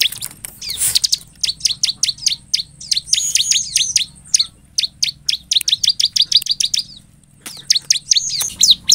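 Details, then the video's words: Bar-winged prinia in full, lively song, used as a lure to draw other prinias into answering: rapid runs of sharp, high, downward-slurred chips in bursts, with a brief pause near the end before the chipping resumes. "ASLINYA CIBLEK GACOR BIKIN CIBLEK LAIN MERESPON, Pancingan ciblek agar bunyi|| suara ciblek"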